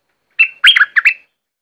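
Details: Streak-eared bulbul of southern Thailand singing a single crisp phrase of three to four quick slurred notes, loud and clean against a silent background.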